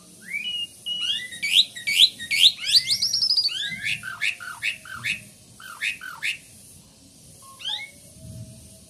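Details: Asian pied starling in a lively song: fast jumbled series of sweeping whistles and chattering notes, densest early then thinning into separate rising whistles with pauses.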